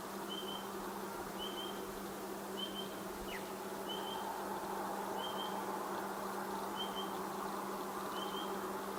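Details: Spotted pardalote (Pardalotus punctatus) call: soft, high piping notes about every one and a half seconds, heard over a steady low hum and an insect-like buzz.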